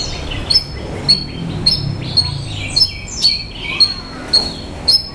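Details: Javan bush lark delivering bright, piercing whistled notes with short chattering flourishes between them, about two per second in a regular rhythm, with faint low background noise.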